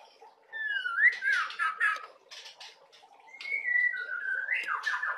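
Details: Clear, slurred whistles from a white-rumped shama, used to stimulate young shamas to sing, with softer chattering notes between two long gliding phrases.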